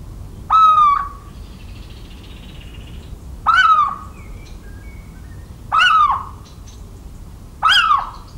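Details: Four mewing hoots from a Little owl in the countryside of central France on 17 March 2019, spaced two to three seconds apart. Each dips slightly in pitch. Faint calls from another bird sound between them.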